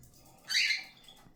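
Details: Cockatiel calling once: a loud, harsh, slightly downward-sliding screech lasting about a third of a second, over quiet background.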